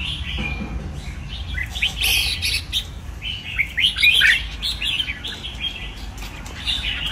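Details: Caged red-whiskered bulbul singing lively, slurred whistled notes in short runs, some rising and falling steeply, with pauses between phrases and faint background rustle.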